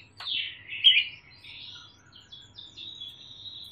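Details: A young Sumatran leafbird, just past the spotted juvenile stage, with a loud, clear voice, opens with a sharp downward sweep, then a fast, high chattering warble of buzzy notes mimicking parrot and other calls, and a thin sustained trill over a faint low hum.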